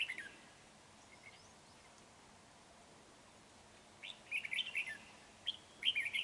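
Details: Trapping decoy red-whiskered bulbul, 31 January 2019, stays mostly quiet after a short opening note, then delivers two lively bursts of rapid, tumbling whistled notes toward the end.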